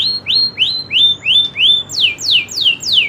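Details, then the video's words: Local canary repeating rising whistled notes about three times a second, then switching to loud falling sweeps at the same steady pace. "kenari loper suara asli nembak ngerolll"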